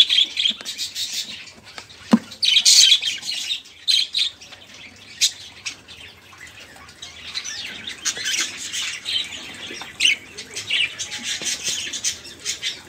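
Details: Budgerigar flock chatter serving as a prompt for caged songbirds; intermittent raspy warbles and chirps with quieter gaps and a single sharp tap.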